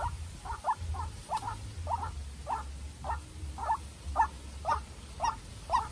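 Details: A farm-raised young White-breasted waterhen decoy is dueling with a wild bird. Hoarse two-part croaks repeat about twice per second in an even rhythm, with a soft low hum underneath.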